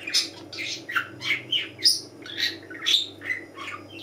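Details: A lively, tame pet budgerigar, playful and flying about on a morning, chirps busily: a quick run of high, scratchy warbles and squawks about twice a second, each note sliding and buzzy.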